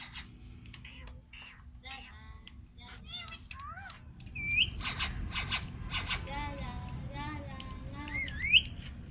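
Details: Pet parrot talking, giving a string of speech-like syllables and warbling sounds with rising and falling whistled slurs, a few sharp upswept whistles near the end, over a low background hum.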